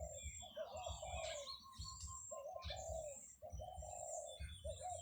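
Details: Doves cooing at a rural spot where buffalo are raised, on a July 2023 morning: low, burry coos in phrases of about a second with short gaps, and other birds chirping higher up.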